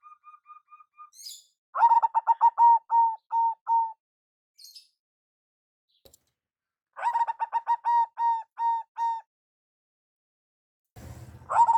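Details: Local zebra dove used as a lure, starting with faint soft notes, then two phrases of quick stuttering coos slowing into separate ringing notes, and a third phrase beginning at the end.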